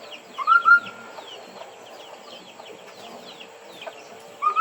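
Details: White-browed laughingthrush singing to call in other birds: a clear, rising whistled phrase opens, followed by soft scattered notes, and the bright upward whistle returns at the end.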